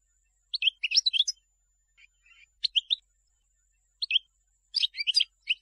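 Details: Goldfinch singing, from a selection used to tutor chicks. Scattered bursts of high, tinkling twitters and chirps come in short clusters with brief pauses between them. A faint steady high tone sits in the background.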